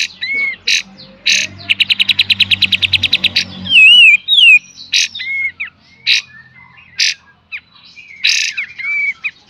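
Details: Master song of a kapas tembak for cage bird training, beset and tembak style: bursts, a fast rattle of about fifteen notes over a low hum, wavering high whistles and scattered whistled phrases.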